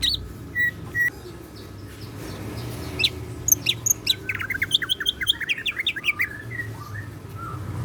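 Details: Greater green leafbird in captivity, singing cyclone-style mimicry: two flat whistles early, then a fast, rising flurry of sharp chirps and tumbling slurred notes building into a dense run; low background hum.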